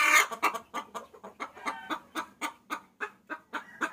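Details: Hen calling a rooster, used as a lure sound: a rapid run of short clucks, about three per second, opening with a louder harsh note and continuing as evenly spaced bursts.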